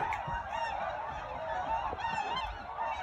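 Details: A flock of tundra swans coming in to land on Lake Mattamuskeet, Hyde County, North Carolina, in December 2019 gives a steady chorus of high, hooting, bugle-like calls, many voices overlapping with no pause.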